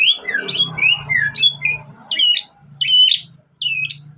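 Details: White-rumped shama lure recording with canary phrases: scratchy, squeaky notes over a low hum, followed by spaced sharp whistled notes with harsh edges.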